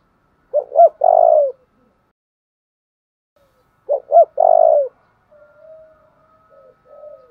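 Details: Spotted dove cooing to rouse and train decoy birds: two phrases, each of two quick rising notes and then a longer throaty coo, with a faint, thin, drawn-out tone at the end.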